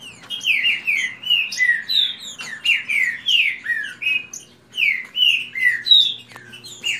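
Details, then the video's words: Several caged green-winged saltators in a fast singing contest; loud, overlapping whistled phrases of slurred descending notes, repeated almost continuously, with a low hum underneath. "Disputa de canto rápido Esquente seu trinca ferro"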